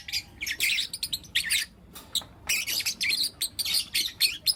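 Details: Busy morning chirping by four young lutino lovebirds, repeated shrill, rasping high bursts in quick succession after a brief quiet moment near the start.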